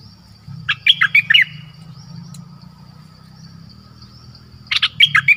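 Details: Dok taeng decoy bird in a forest on 13 January 2021, calling to attract a mate: two quick runs of four or five sharp, squeaky notes, with a steady high hum and low background rumble in between.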